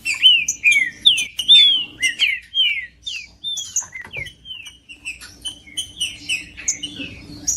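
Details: A green-winged saltator sings to warm up a cold bird: strong arched whistles falling in pitch come one after another, then grow softer and more broken, mixed with brief high chirps.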